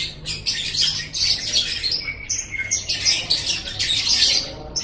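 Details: Lovebird ngekek chattering, meant to make pet lovebirds chatter back: rough, high twittering in uneven bursts with a brief thin whistle-like note near the middle, otherwise steady scratchy chatter.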